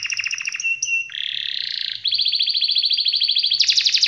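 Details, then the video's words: Canary singing a long rolling song to get silent birds singing: a pulsed trill gives way to a low buzzy rattle, then a bright, even rolling trill that climbs higher at the end. "Kenari malas dan macet bunyi langsung nyaut,seketika dengar suara kenari gacor ngerol panjang ini"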